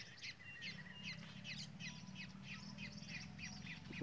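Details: Southern lapwing at the start of the November rains in Brazil, with rain threatening, gives harsh, strident notes in quick, uneven bursts, several each second, over a steady low rumble.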